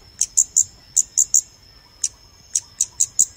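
Scarlet-backed Flowerpecker giving sharp, very high ticking notes, about three per second in short bursts; a faint steady high tone runs beneath.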